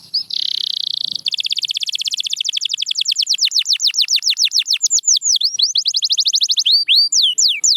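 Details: Canary song, possibly Belgian, Spanish Timbrado or Russian type, for training: a long buzzy trill, then rapid repeated downward-sweeping whistled notes at about four per second, ending in looping whistles.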